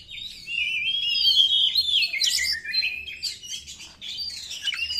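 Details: White-rumped shama song used as a lure: a long, continuous stream of whistled notes gliding up and down, mixed with buzzy, rattling bursts, with a faint low hum underneath.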